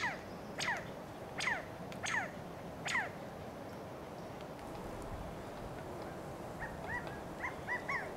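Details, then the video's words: Male California quail giving contact calls from Monterey pines in Del Monte Forest, California: four sharp, down-slurred notes spaced under a second apart, then softer, higher chirps near the end over steady background hiss. "The Sound of California Quail"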